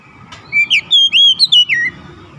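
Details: Short phrase of Oriental magpie-robin song, offered as quick recovery therapy for a stressed bird: a rapid run of bright, rising and falling whistles lasting about one and a half seconds over faint low rumble.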